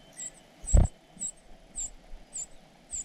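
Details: Cuckoo chick being fed by its foster parents: six thin, high begging squeaks spaced about half a second apart, with one dull thump near the start.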